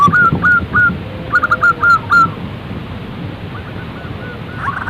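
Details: Zebra dove calling: a few spaced short coos, then a quick cluster of rising-falling notes, followed by faint, softer coos as the series fades, with light background noise.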